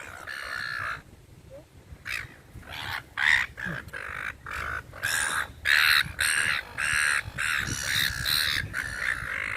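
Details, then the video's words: Several gulls being fed in a park give harsh, raspy squawks in quick, uneven, overlapping bursts of nearly two per second, with people talking faintly in the background. "SEAGULLS SOUND EFFECT"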